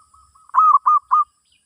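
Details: Zebra dove song for a session teaching a new bird. Soft murmuring notes lead into four loud, even cooing notes in quick succession, then silence.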